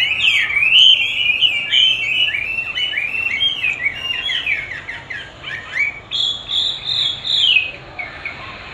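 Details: Chinese hwamei singing against playback of its own song: varied whistles and quick descending chirp runs, ending in a long sustained high whistle followed by softer notes.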